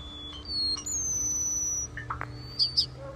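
A common starling sings a varied medley: a long, thin, high whistle, then short squeaks, clicks and sharp chirps, with a faint low hum behind.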